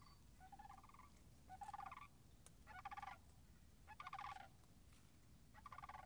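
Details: Sandhill cranes near a partly frozen marsh and wetland on March 26th, 2019: five rolling, purring rattles arrive roughly every second, some overlapping, over a steady low rumble.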